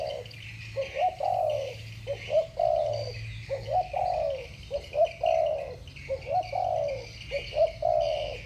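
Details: Spotted doves, two birds in a 'thổ bầu' style contest: repeated phrases of one or two short coos and a sustained sliding-down coo, evenly spaced, with faint high buzzing and low rumble beneath.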